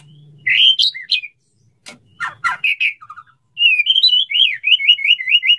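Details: Male white-rumped shama courting a female, wanting to mate: varied whistled phrases around mid-high pitch, a few sharp clicks, then a fast string of repeated rising chirps near the end, with a faint low hum early on.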